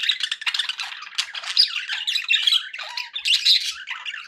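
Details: Budgerigar sounds for pet parakeets: a busy, unbroken warble of raspy chirps and squawks, with a lower, clearer tone near the end.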